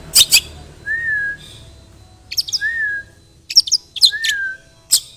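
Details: Long-tailed shrike with imitated fighting-sparrow phrases, played as a lure to prompt other shrikes to sing: sparse sharp chattering bursts separated by clear, short slurred whistles and quiet gaps.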